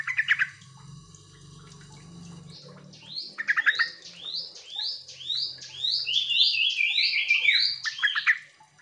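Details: Sooty-headed bulbul call used as a lure to make lazy birds answer; a burst of chirps, then a fast run of rising buzzy notes repeated about twice a second, building into a dense overlapping chatter near the end.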